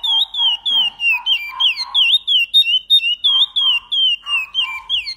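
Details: Chestnut-bellied seed finch delivering a Paracambi song with repetition: loud, pure whistled notes in quick succession, falling slurs and sharp upward flicks at a steady pace, with softer low bark-like bursts underneath.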